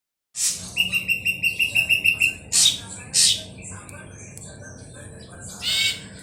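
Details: Ashy drongo used as a lure to set birds singing. About ten clear, evenly repeated bright notes, each with a high overtone, roll out in a quick series, followed by several harsh, loud bursts and a final rasping note.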